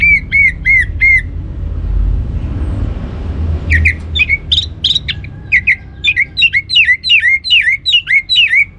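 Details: Orange-headed thrush lure song to make other birds sing: a series of short, repeated arching whistled notes, pausing briefly, then resuming as a fast run of similar chopped notes about twice a second.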